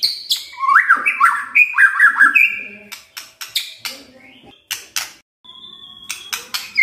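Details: White-rumped shama, full-fill song in kretekan and tembakan style: a tumbling run of melodic whistled notes followed by a long series of dry crackling clicks and a thin high whistle.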